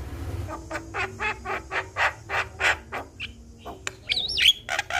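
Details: Javan myna sound played as a lure to prompt a quiet starling to sing. A string of rough, buzzy, evenly spaced squawks is followed by a sharp click and a looping whistled phrase.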